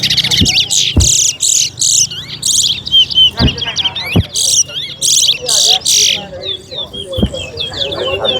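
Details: Chestnut-bellied seed finch, a towa towa, competing in a singing bird race at a park, delivering fast bright twittering phrases and warbled notes over loud thumps and knocks, with people calling out counts.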